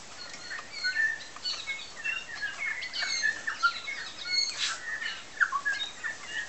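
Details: New Zealand bellbirds feeding and singing on Tiri Tiri Matangi Island: clear whistled notes and short liquid phrases, some sliding up or down, scattered through the clip over a soft natural background.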